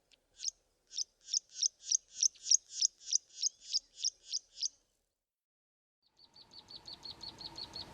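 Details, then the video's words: Karoo prinia in the southern Karoo, South Africa: a run of about fifteen high, evenly spaced piping notes, followed after a pause by a fainter rapid series over rising background noise. "Karoo Prinia calls - the typical calls and the warning calls"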